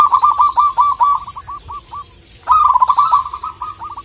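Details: Zebra dove, local wild type, calling to provoke a rival: two loud bouts of rapid, stuttering coos that slow and fade at the end of each, in a quiet setting.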